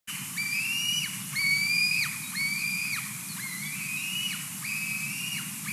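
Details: White-tailed eagle chick in Latvia, 18 July 2020, heard but not seen, calls to its mother as she finishes eating a fish: thin, high whistled notes, each rising then dropping, about once a second, over a low steady rumble.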